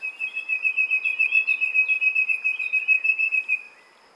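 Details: Nightingale delivering a sustained, steady whistled trill on one pitch with a pulsing throb, repeated several times a second for about three and a half seconds before stopping.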